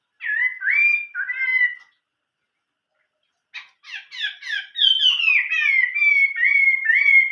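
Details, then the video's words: Song of a Chinese hwamei in old-forest style: looping whistled slurs, a silence, then rapid scratchy notes building into a long run of loud downslurred whistles. "chim họa mi hót giọng rừng già"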